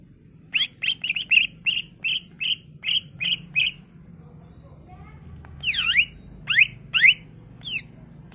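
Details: Greater green leafbird song meant to make other leafbirds respond, with a quick train of short, even chirps, a pause, then loud V-shaped swooping whistles over a steady low background hum.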